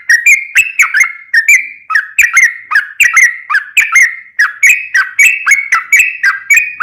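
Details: Lure song of a sooty-headed bulbul in long ropel style, meant to prompt other bulbuls to answer: an unbroken chain of clear whistled notes, each with a quick hooked inflection, repeated roughly three times a second.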